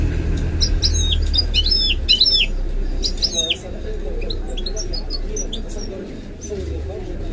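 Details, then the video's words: Pet goldfinch-canary hybrid mule singing short bursts of sharp, high twittering notes with rapid downslurred chips, then softer scattered chirps over a low background hum. "The maestro's singing is amazing - the goldfinch hybrid"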